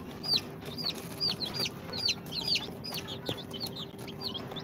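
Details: Two-day-old chicks of Sultan, Golden Sebright, Cochin and booted breeds, hatched in an incubator, chirp steadily: high, clear, downward-bending peeps repeated about twice a second by several birds, over a low steady hum.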